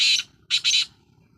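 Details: Black francolin (kala teetar) calling: a harsh, scratchy high burst, a brief pause, then two rapid grating notes run close together, with nothing else audible behind them.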